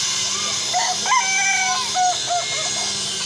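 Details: Kukuak Balenggek chickens at a crowing sparring session: several arched, tonal crow syllables rise and fall in a loose series over steady broadband hiss, with other roosters overlapping faintly.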